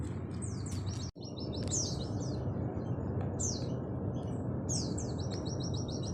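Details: Oriental white-eye singing nembak-style training phrases: repeated high descending slurred notes and short rapid trill bursts, broken by a brief dropout, over a loud, steady low rumble.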